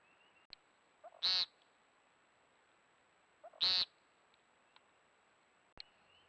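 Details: An American woodcock (timberdoodle) at night in a backyard gives two loud, buzzy, nasal peents about two and a half seconds apart, each preceded by a soft low note, over a quiet night background.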